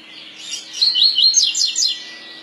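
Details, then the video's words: Coleiro pardo double-collared seedeater in the tui tui song style, giving a clear high phrase of sharp whistled notes that slur up and down, rattled off in quick succession for about a second. "COLEIRO PARDO COM CANTO TUI TUI"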